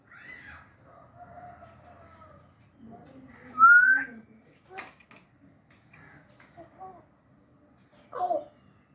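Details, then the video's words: Indoor African grey parrot talking in Urdu and Hindi: speech-like warbling phrases, a loud rising whistle midway, then several short chattering syllables and a final burst, over quiet room hum. "talking in urdu and hindi"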